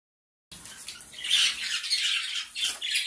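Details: A small colony of gray Java sparrows gives a dense, overlapping chatter of high, harsh squawky calls and chirps, continuous for about two and a half seconds.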